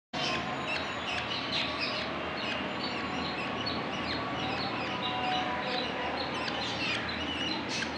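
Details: Young budgerigars keep up a busy, overlapping chatter of quick, high chirps and squeaky notes.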